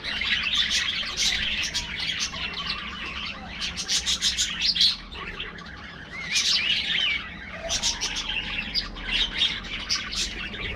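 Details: Aviary budgerigars chattering while feeding in the afternoon: continuous overlapping high chirps and warbled notes in waves, with short quieter gaps and faint low background noise.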